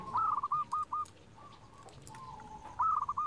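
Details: Local zebra dove with a big voice, a master song meant to make lazy birds sing: a rapid staccato string of cooing notes opens the clip, a long soft drawn coo follows, then another quick burst closes it over a faint low hum.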